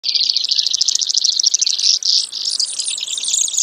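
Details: Brewer's sparrow: a dense, high, buzzy trill of rapid notes running continuously for nearly four seconds, with the pitch shifting partway through.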